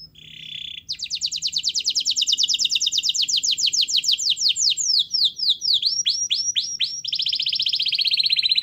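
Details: Canary in full song, used to coax reluctant canaries into singing: a brief buzzy note, then a long fast trill of high repeated notes, shifting into slower downward-swept whistles and ending on another rapid high trill.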